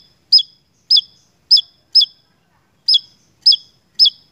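Javan tesia giving sharp, very high, hooked chip notes, about seven in four seconds at a brisk, slightly uneven pace, against a quiet background.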